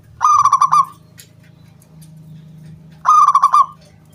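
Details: Local wild zebra dove singing to draw other doves into song: two loud, clear bursts of rapid stuttering coos with a metallic ring, about three seconds apart, a low steady hum between them.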